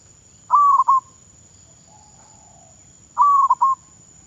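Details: Decoy zebra dove in training in Thailand gives two rolling coo phrases, each a held tone followed by rapid broken notes, with a soft, lower murmur between them and a constant thin electronic whine behind.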